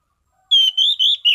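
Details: Steady, consistent ngeplong song from an Orange-sided thrush in prime form: a run of four bright whistled notes, the first slightly falling, the middle ones gently rising, the last sliding downward.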